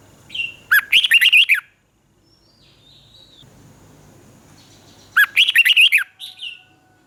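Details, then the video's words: Caged red-whiskered bulbul in Thailand delivering southern master-style song used to stimulate and tutor young birds. Two matching phrases of quick, rolling whistled notes come about four seconds apart, each introduced by a softer note. "เสียงนกกรงหัวจุก สำหรับต่อ หรือ เปิดให้นกคึก"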